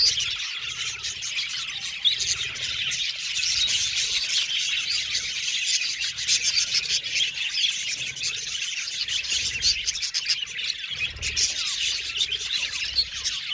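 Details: Long stretch of budgie flock chatter, ceaseless overlapping high tweets, squawks and whistles forming a dense twittering background that stays fairly even, with slightly busier passages near two and eleven seconds.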